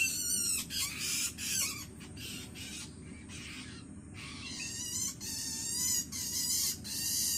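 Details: Hungry Long-tailed Shrike chick begging from its parent: grating, wavering rasps in bursts of about a second, a quieter scratchy stretch in the middle, then loud rasping resumes.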